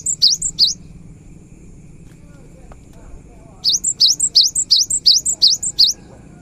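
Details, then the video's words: Cinereous tit in lively song, meant to trigger singing in birds that stay quiet: a brief pair of high dipping-and-rising phrases, a pause, then a steady run of about eight more, with faint low hum behind. "Suara GELATIK BATU GACOR"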